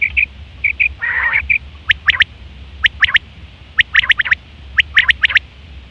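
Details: Common quail mating call recorded September 2023; short piping notes and a brief harsh rasp at first, then evenly spaced crisp three-note phrases.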